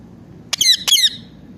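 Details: Pet ringneck parrot indoors: two loud, harsh squawks in quick succession, each a rasping, descending burst, over a faint low background hum.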